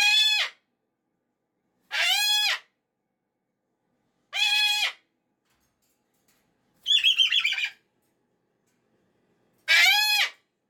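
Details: Pet cockatoo on a Monday morning, annoyed the weekend is over, screaming harshly about every two seconds, with one buzzy, pulsed rasp breaking the series before a final scream.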